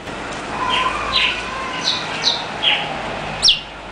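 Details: A northern cardinal gives bright, slurred whistled notes, about six in three seconds, ending on a sharper high chip, over a soft steady background hiss.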